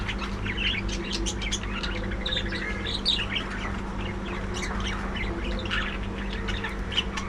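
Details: Budgerigars in a breeding colony, several birds twittering with short whistled and warbled notes and occasional squawks, layered over a constant low electrical hum.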